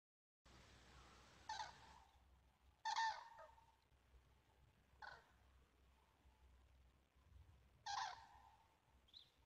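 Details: Cranes in autumn in Europe, October 2016, recorded on a phone: loud trumpeting calls in separate bursts, a strong one near three seconds and another near eight, with quiet gaps between.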